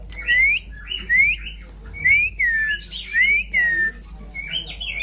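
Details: Indian ringneck parrot, praised as a remarkable talker, giving a series of clear whistled notes that slide upward, about one per second, each followed by a short lower sweep, with faint background hum.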